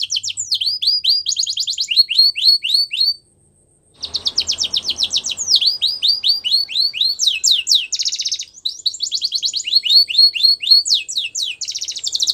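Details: Male canary singing: fast runs of downward-sweeping whistled notes and buzzy trills, repeated in rapid phrases, with a brief pause near three seconds before the song resumes.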